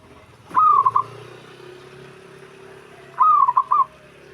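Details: Zebra dove call that other doves answer at once: two brisk phrases of rolling coo notes over a steady low hum.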